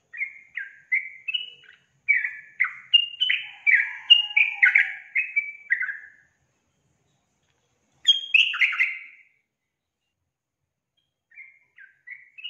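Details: Sooty-headed bulbul sings a long, lively string of quick, slurred chirping notes, around a dozen in a row, then pauses, gives a short excited burst, and ends with a few soft notes.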